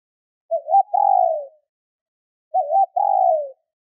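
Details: Female spotted dove calling to stimulate males: two low coos about two seconds apart, each a short wavering note followed by a longer steady hum, with silence between.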